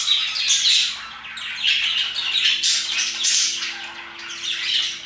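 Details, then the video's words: Shrill parakeet chatter around 2pm, overlapping scratchy chirps with a few cleaner whistled notes early on, rising and falling in intensity. "Parakeets chirping and singing their hearts out"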